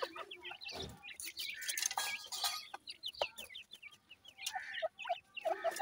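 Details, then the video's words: Teetar, grey francolin chicks, give a crowded stream of sharp, high peeping notes, some hooked and sliding, over intermittent low clucks and a few loud rustling bursts. "wonderfull pheasant teetar chicks,teetar calling bird"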